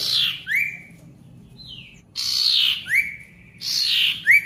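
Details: Ashy tailorbird song to restart silent tailorbirds: harsh buzzy bursts each followed by a single loud upslurred whistle, repeated three times, a faint lower whistle in the gap.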